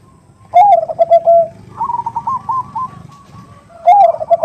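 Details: Female zebra dove calling to the male, a 'nutut' style call used as a lure for other doves: a loud, rolling coo of quick, pulsing notes, then a fainter run of higher repeated short notes, then the loud rolling coo again.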